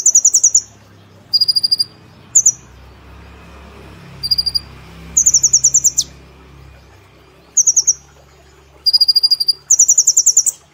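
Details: Brown-throated sunbird, a cage bird in lively nembak style with woodpecker and cililin phrases: bursts of rapid, dry, very high ticking trills, some higher, some lower, spaced by short pauses, with a faint low hum behind.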